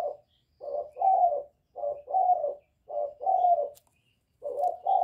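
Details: Young spotted dove cooing in calling style with bowing coos, meant to stir decoy birds; low, husky paired coos come in regular bursts about once a second, separated by brief silences.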